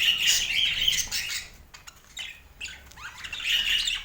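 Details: Budgerigars, pet birds, give bursts of warbling chirps and whistled squeaks, loud at first, dropping to sparse clicks and scratches midway, then rising again into chattering calls.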